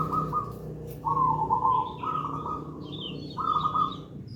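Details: Local gedang rojo zebra dove singing as a master song and lure; several warbling trilled coos, a low background drone, and a separate high chirping bird in the second half.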